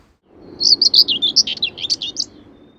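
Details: A Common Whitethroat sings a brief, very scratchy, diagnostic warble of about a dozen rough, jumbled high notes over under two seconds, with a faint low rumble of wind behind.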